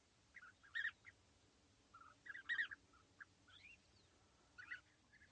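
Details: European bee-eaters perched together at East Leake Quarry on a sunny July 2017 morning; a few scattered burry calls in short clusters, with gaps between them, over a steady background hiss.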